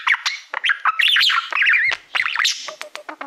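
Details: Pet budgerigar singing to a reflective plaque indoors: twisting squeaky whistles and buzzy notes in a busy jumble, ending with a series of short clicks.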